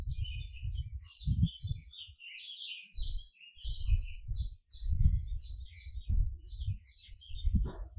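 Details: Singing canary delivering chains of high twittering chirps, each note short and slightly sliding, over repeated low thudding noises throughout.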